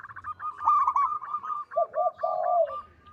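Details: Zebra dove of local stock singing: a quick chattering run of short notes leads into two lower, smooth, rolling coos, the second longer and fading out.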